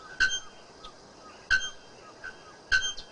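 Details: Bare-throated bellbird singing free in nature: loud, ringing metallic clanks like a hammer striking an anvil, repeated about every 1.2 seconds, with fainter short tonal notes between them.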